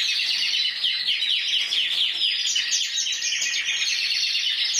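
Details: Caged intense yellow canary, 2014 champion of Spain scoring 94 points, delivering dense fast-rolling trills, a shimmering unbroken warble that rises and falls slightly.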